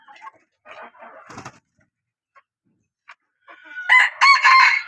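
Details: A hen from a line bred to call well: after scattered faint sounds, a loud, harsh, harmonic call rises near the end, broken into two strong bursts.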